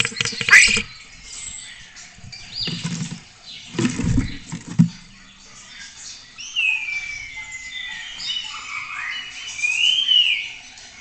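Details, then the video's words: Spotless starling at a webcam in Cabañeros National Park: low thumps and rustling first, then long, clear whistled notes that slide downward and rise again, with soft chatter. "Impresionante concierto de estornino negro"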